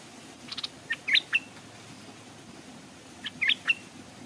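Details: Caged stripe-throated bulbul decoy hung at a streamside, wild birds arriving without landing; two short bursts of bright twisting chirps, each about half a second long, with quiet hiss between.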